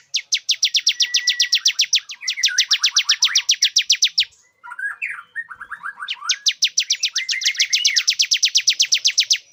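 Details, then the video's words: Male bar-winged prinia calling a female into breeding condition: rapid regular trains of sharp high clicks, joined mid-way by lower buzzy warbled notes, then a brief jumble before the fast ticking resumes. "Suara pikat ciblek jantan agar betina cepat birahi"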